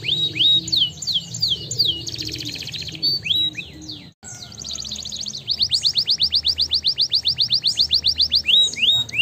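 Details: Canary song played to encourage quiet canaries: varied whistles and buzzy trills, a short break, then a long rapid train of identical descending notes ending in a few slurred whistles.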